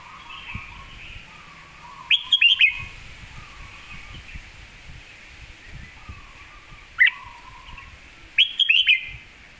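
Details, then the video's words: Red-whiskered bulbul master song for teaching birds, heard as three short bursts of crisp, rapid whistled notes spread over several seconds, with a thin repeated whistle and rustling noise in between. "คมชัดลึก"ดอกสวยๆ สำนวนแม่บท/ไว้สอนนก"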